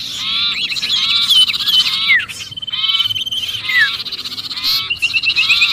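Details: Sirpu in apparent distress, recorded as a lure for other birds: continuous scratchy chatter layered with quick down-slurred whistles and a few sustained buzzy notes.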